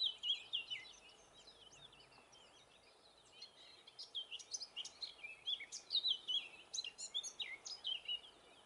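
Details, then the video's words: Eurasian blackcap singing in northern Gran Canaria in May 2020: a short opening phrase, a pause, then a rapid warbled run of varied, bright notes from about four seconds on, with a faint hiss of background noise. "Canto de la Curruca capirotada"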